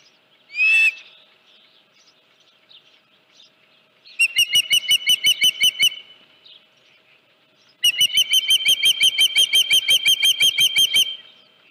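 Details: Osprey at the Dunrovin Ranch nest on 31 July 2018, about 9:43 AM, with a headless fish: one sharp rising note, then two long bursts of rapid, piercing whistled chirps, about three per second, separated by quiet gaps.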